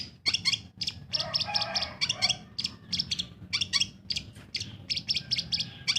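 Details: Long-tailed shrike, a kept bird, singing in a busy chattering run: clusters of sharp harsh notes and squeaky chips repeated several times a second, with a faint low hum underneath.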